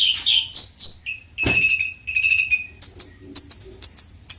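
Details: Long-tailed shrike in varied song, provoking other shrikes to join in: high whistled slurs, a sudden click, level drawn-out whistles, then short repeated high whistled notes.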